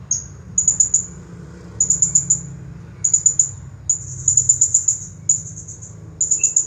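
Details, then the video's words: Champion blue-crowned hanging parrot singing nonstop in the 'nagih hutang' style: very high, thin, sharp chirps in quick bursts of three to eight notes, with one long rattling run, separated by short pauses over a faint low hum. "Serindit Juara Nonstop Bunyi Gaya Nagih Hutang"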